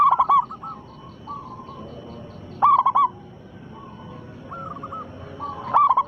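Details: Zebra dove of a local type with a big voice, cooing to draw replies from other doves. Three emphatic bursts of rolling, mellow notes, separated by faint drawn-out coos.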